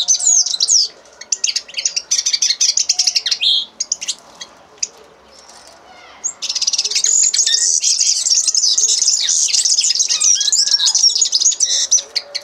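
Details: A common linnet sings in bursts: an opening high twitter, a scattered patch of clicks and quiet pauses, then a long sustained run of rapid, buzzy, high-pitched twittering lasting about six seconds.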